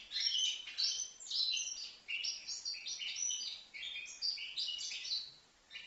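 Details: Young European goldfinch, five months old, singing a continuous rapid twittering song of bright chirps and tinkling notes in quick bursts. Brief pauses break the phrases, with a faint background hiss.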